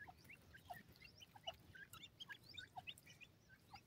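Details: Captive partridge chicks fighting over food, a cluster of short, clipped peeps and chirps at varied pitches, tumbling over one another in quick irregular succession, with a faint low background hum.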